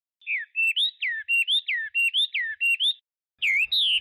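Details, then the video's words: Chinese hwamei singing loud, clear whistled notes that slur downward and upward, repeated in quick pairs, then after a short pause a higher, richer whistled phrase. "تغريد طائر الخوامي Chinese Hwamei"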